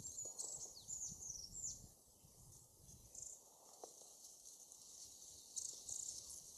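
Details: Dark-sided flycatchers, several birds chasing each other, giving thin, very high call notes: a burst of short descending whistles in the first two seconds, then more near three and five and a half seconds. Goldcrest, Japanese leaf warbler and coal tit call around them.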